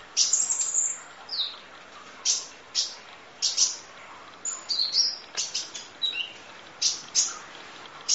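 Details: Van Hasselt's sunbird (kolibri ninja) in a long full-fill 'nembak' masteran training recording: high, sharp chirps and thin down-slurred whistles in quick separate bursts, about one every half second, over a faint hiss.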